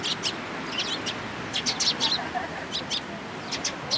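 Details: Several sparrows flying into a cherry tree at a Tenmangu shrine, Japan, on 24 March 2023, giving short bright chirps in scattered clusters, some rapid runs of notes, over a steady broadband background hum.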